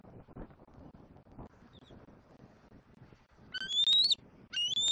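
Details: Juvenile bald eagle at a Southwest Florida nest calling to its mother in a treetop one afternoon, April 2024: after low rumbling background, two loud, thin, whistled squeals, each drawn out and slowly rising.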